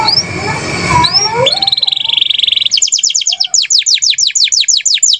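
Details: Canary singing kenari gacor song: opening sweeping whistles over a noisy background, then a long steady buzzy note, followed by clean repeated high descending whistles in an even rhythm.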